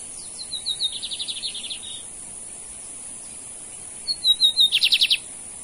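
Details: Male lined seedeater (bigodinho) from Brazil in a song contest against another male: two phrases, each opening with high thin whistles and breaking into a rapid series of buzzy repeated notes, the second phrase louder.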